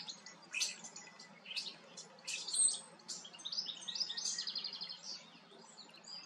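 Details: Common starling singing while preening: a jumbled medley of high squeaky whistles, clicks and buzzy rattles, with loud bursts near the start and middle and a rapid chattering run later on, over a faint low steady hum.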